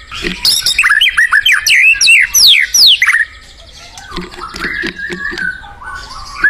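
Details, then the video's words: White-rumped shama in the wild singing: a fast series of loud, varied whistled and slurred notes in the first three seconds, then softer, lower warbling phrases with other faint bird sounds behind. "SUARA UNIT MURAI BATU GACOR DI ALAM LIAR"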